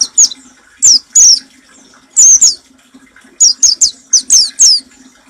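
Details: Oriental white-eye giving the 'nembak' song style, used to train caged birds to sing. It has very high, thin, downslurred chirps, alone or in quick clusters of two to four, separated by short pauses, over a faint low hum.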